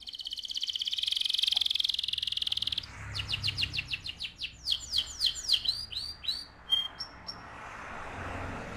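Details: AF canary singing a loud rolling song: an opening buzzy, rapidly pulsed roll, then a fast series of bright, repeated downslurred notes that speed up and change tone, ending in short high chips.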